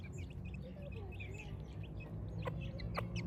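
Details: Village chicks on a morning, cheeping in quick, irregular bursts of thin high notes, several birds at once, over a constant low rumble and a couple of sharp clicks near the end.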